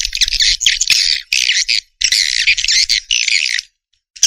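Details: Swiftlets calling: dense, rapid, rattling twitter in bursts of about half a second to a second and a half, separated by short gaps, with a brief silence near the end.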